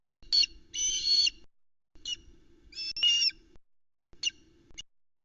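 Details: Noisy complaint from juvenile Ospreys at a Scottish loch nest on an August evening, when the adult male delivers just a small fish: rough, rapidly pulsed calls in short bursts, with brief squeaky notes between.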